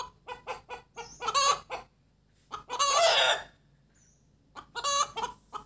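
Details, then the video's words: A hen cackles after laying: a run of short, evenly spaced clucks building into loud, harsh, drawn-out squawks, repeated twice. "Gà mái đẻ kêu cục tác"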